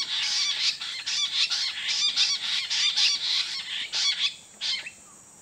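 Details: Jungle bush quail in Nilgala Reserved Forest call in a busy, overlapping chorus of high, harsh chittering notes, several each second, ending in a final short burst.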